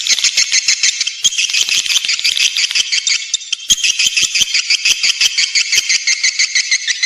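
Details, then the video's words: Rapid rattling twitters of swiftlets, used as a call to lure them to nest, pulse about three times a second in a steady, dry, high-pitched chatter. "Suara panggil walet menggemma"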